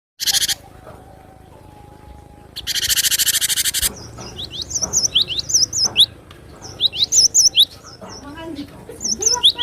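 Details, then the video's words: Cinereous tit song used to provoke and tutor other birds: after loud hissing bursts, high wavy whistled notes and sharp upslurs come in quick irregular runs, with faint low chirps underneath. "Suara burung Glatik batu pemancing emosi pemasteran"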